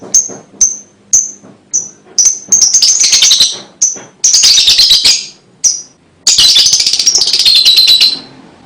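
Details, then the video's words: Lovebird song for luring young birds: a run of evenly spaced high chips that builds into buzzy, stuttering chatter, alternating with single chips and ending in a long harsh rattle. "LOVEBIRD MANAPUN PASTI IKUT NYUAT DENGAR 3 DETIK KICAU INI"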